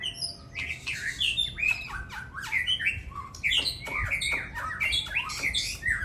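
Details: Songbirds in a singing contest showing off their stock of learned song material: a dense, fast medley of bright whistled notes, twangy slurs and sharp chips that overlap almost without pause.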